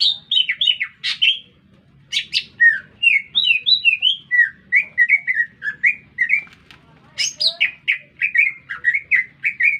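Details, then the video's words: Lesser green leafbird singing vigorously in a city setting: a varied run of whistled and chirped notes, sliding and jumping in pitch, with brief pauses between phrases and a faint low hum beneath. "Cicak Ijo Gacor Bikin Meledak Suasana"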